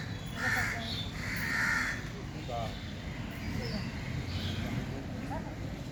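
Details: Crow, also called kaga, giving harsh rasping caws in a pair of broad bursts, followed by fainter scattered calls over steady low background rumble.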